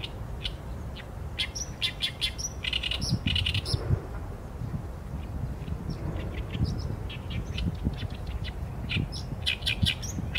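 Oriental reed warbler singing a loud, harsh, chattering song of grating and croaking notes in rapid bursts, over a low rumble of background noise.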